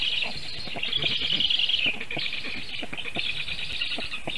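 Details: Nestling Black storks in Sigulda municipality, Latvia, on 1 August 2021 at 4:51 PM, defending themselves when a goshawk landed on the nest tree during feeding; a steady wheezy, scratchy chorus with short breaks, with faint clicks below.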